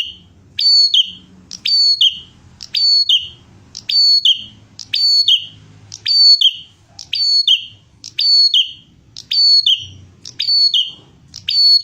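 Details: Energetic Bar-winged prinia song serving as a tutor track for training birds: the same bright, high, descending chirped phrase repeated steadily roughly once per second, eleven times, over a soft low background murmur.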